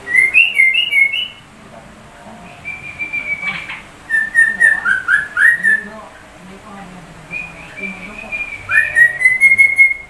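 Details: Sooty-headed bulbul imitating white-rumped shama song, three groups of loud clear whistles, some long and level, others quick down-slurred notes, separated by brief quiet gaps.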